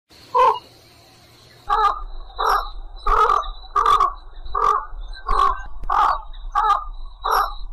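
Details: A white egret calling to its flock gives harsh, hoarse croaks, about one each second in a steady run after a single opening call, over a faint, steady high whine.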